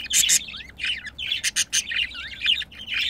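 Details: Two pet budgerigars during mating: bright, fast chatter of squeaky notes, upward-swooping whistles and crisp clicking ticks, loud and close throughout.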